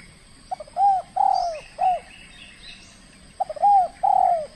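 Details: Spotted dove, a trained contest bird calling aggressively on its first match: mellow rounded coos, a brief stutter then two or three longer arched notes, repeated after a pause, with faint higher chirps behind.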